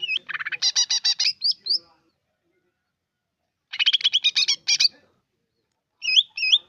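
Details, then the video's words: Greater green leafbird, likely a caged bird, singing two bursts of rapid, rattling notes, then a pair of short whistled upslurs; quiet between phrases. "burung cucak ijo"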